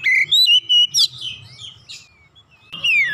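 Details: Oriental magpie-robin (kacer), stirred by one lure from silence into gacor singing: quick whistled and chipped notes, a harsh burst, softer fading notes, then a final descending slurred whistle; faint low hum.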